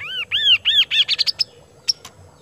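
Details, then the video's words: Loud kaso-kaso bird song: a string of bright arched whistles, each rising then dropping, accelerating into rapid high clipped notes, followed by a single sharp chirp after a brief pause. "BURUNG KASO KASO GACOR GIPAN"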